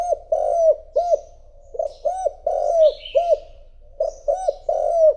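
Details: Decoy spotted dove calling to draw in rival doves: a series of low, hollow coos, each a rounded, dipping note, grouped in short phrases with brief pauses. Faint high chirps sound in the background.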